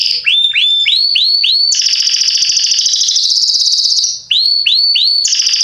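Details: Belgian Salsa canary, a singer described as excellent for teaching young birds to sing, performing loud song: rising whistled notes repeated about twice a second, then a long rapid buzzy trill, then more rising whistles.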